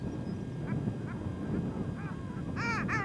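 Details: A male Long-tailed duck on a small tundra pond on Victoria Island, Nunavut, in spring after arrival on northward migration, gives short nasal calls about every half second, then a louder ringing yodel pair; low wind rumble.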